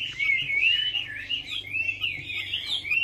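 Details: Short burst of Chinese hwamei lure song: a smooth, unbroken warble of wavering whistled notes, rising and dipping, over a faint low hum.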